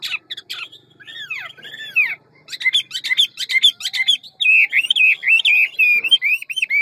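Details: Ngũ trường Hwamei with a varied forest voice: downward-swooping whistles, then dense buzzy bursts, then a long unbroken run of wavering warbled notes.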